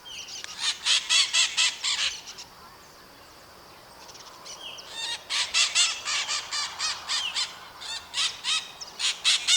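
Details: Flock of maritaca parrots from Brazil screaming: loud grating squawks fired in quick series, a quiet gap of about three seconds, then a longer run of overlapping raucous calls from several birds.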